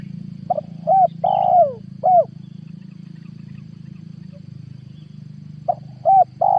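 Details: Spotted dove decoy call from 2022 for luring wild spotted doves. A full phrase of soft coos with a long falling middle note, a pause of about three seconds, then the next phrase begins. A constant low electrical hum sits below.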